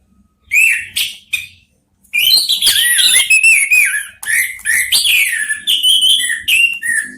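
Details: Orange-headed thrushes, three birds calling back and forth, pour out loud rich whistled phrases with slurred rising and falling notes and high twittering, nearly continuous after a brief opening pause.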